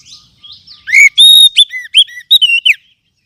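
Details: Oriental magpie-robin song played as a lure for caged birds. Soft high chattering leads into a rapid phrase of loud, bright whistles, some sustained, others quick downward slurs.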